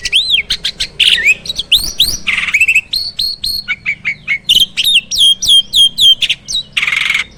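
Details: Farm-kept starling singing busily in full 'isian' (fill-in) style: a rapid, varied stream of upward-swooping whistles, clicks and chirps, broken by harsh rasping bursts, with notes tumbling several times per second.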